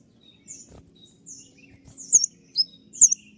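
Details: Kolibri ninja sunbird uttering thin, very high, sharp chirps, roughly one a second, with a few louder down-slurred notes toward the end, typical of its piercing 'tembakan' delivery.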